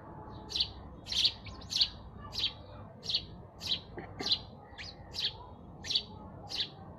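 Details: Sparrows chirping: loud, sharp single chirps repeated at an irregular but brisk pace, around eleven in quick succession, over a faint steady hiss.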